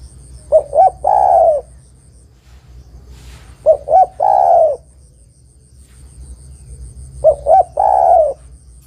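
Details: Female spotted dove calling to a male: three phrases about 3.5 seconds apart, each two short rising coos followed by a longer, rolling, falling coo, low and mellow, with a faint steady hum underneath.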